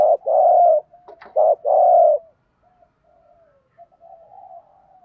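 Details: Gù thúc cooing of spotted doves, cock and hen, played as a training lure: two loud low coos with a brief clipped note between, then soft quiet trailing coos fading out.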